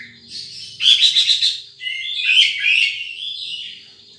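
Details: A wild sunbird gives a quick series of bright, high chirps, then a warbling run of sliding notes that tails off into quieter twitters.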